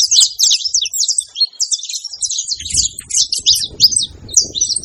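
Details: Male and female saffron finch calling at once, producing dense, high chirps and quick twittered phrases in irregular bursts, over a low rumbling background.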